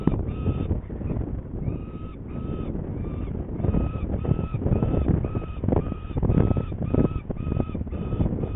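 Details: Saker falcon in Hungary on 21 May 2019 at 11:30, going to get prey while the birds seem not hungry; harsh, tonal calls repeated about twice a second over steady low wind rumble.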